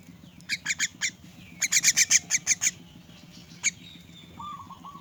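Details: Rescued orphan myna calling while being fed: short grating squawks, first three spaced, then a rapid run of about seven, one later note, and a faint rising murmur near the end.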